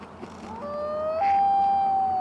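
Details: Wild common loon on a Maine lake, recorded from a kayak with a camera-mounted Rode VideoMic Pro: a clear, haunting wail rising in two steps to a long, steady, loud sustained note over faint background hiss.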